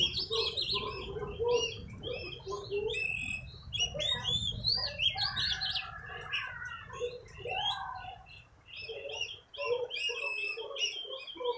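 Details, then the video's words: Oriental magpie-robin, newly bought and being trained, in full song: a dense run of clear whistles, upward and downward slurs and lower warbled notes, with short pauses between bursts. "Latih burung kacer, Alhamdulilah bisa gacor"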